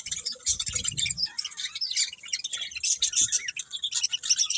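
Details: Several budgerigars chirping together in dense, overlapping high twitters and scratchy warbles, steady chatter throughout with a few low thumps near the start.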